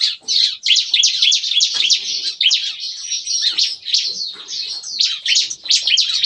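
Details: Captive bar-winged prinias sing noisily in an aviary in the morning, a style compared to shooting. A continuous stream of fast, high, scratchy notes runs without a break throughout.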